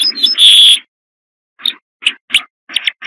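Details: Corn bunting song: a loud, dense jangling rattle for almost a second, then a pause and a series of short dry ticking notes spaced irregularly, with no other sounds.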